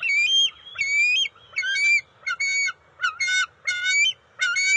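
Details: Bald eagle juveniles at the NCTC nest, June 29, 2021, while eel and fish are delivered and shared after a scuffle: harsh, squawky, stuttering calls in quick bursts, some whistled notes sliding down, repeated every second or so.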